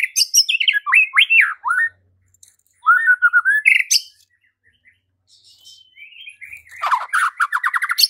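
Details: Provoking song of a White-rumped shama, meant to trigger fighting and loud singing: falling whistled slurs, a quick chattering run, a quiet gap, then a fast buzzy trill of rapidly repeated notes.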